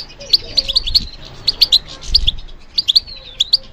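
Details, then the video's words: European goldfinch kept for song competitions gives a few clear high tinkling notes and short slurred whistles in small groups, with soft low rustling beneath. "How to encourage the goldfinch to respond to stimulation"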